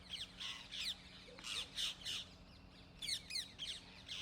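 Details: Rose-ringed parakeets screeching in Gurugram, India, recorded with a camera's in-built mic: clusters of shrill, scratchy squawks and quick downslurred notes, pausing briefly midway, a soft hum underneath.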